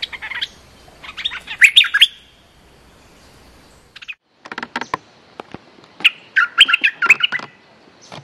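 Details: Streak-eared bulbul giving fierce-styled lure song: a chattering burst of rich chirps, a silent stretch, then scattered clicks and another bubbly phrase of quick notes.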